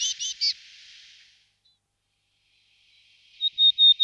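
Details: Willow tit, nominate subspecies Parus montanus montanus: three quick, buzzy, nasal notes, then about two seconds of silence, then a short series of clear, even, whistled notes at one steady pitch.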